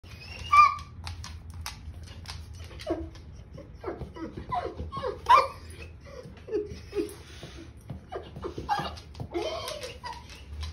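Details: Moluccan cockatoo indoors, mocking the family mastiff: a run of varied whimpering, yelping and squawking calls at irregular intervals, some sharp and high, others lower and nasal, with people talking and laughing around it.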